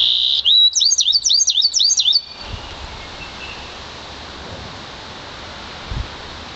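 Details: One-year-old Yarrell's siskin mule from an intensive green Fife canary opens with a buzzy tone, then rolls through a quick run of high looping whistled trills for nearly two seconds before falling quiet.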